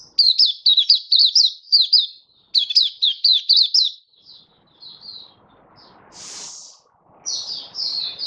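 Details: Oriental white-eye in happy 'buka' song display, recorded 24 February 2023: two fast volleys of bright, slurred twittering notes, then a quiet gap with a brief hissing noise, before softer high notes resume.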